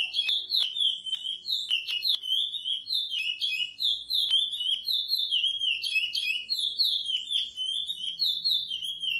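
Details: Praia-style curió song from an edited training track: rich whistled notes run in smooth rising and falling sequences, broken now and then by short clicks.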